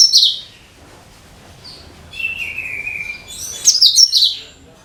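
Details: Cucak kinoi (bulbul) song, used as a lure for every bird type: a sharp high chirp, a long, slightly falling whistle, then a loud cluster of quick, twittering high notes.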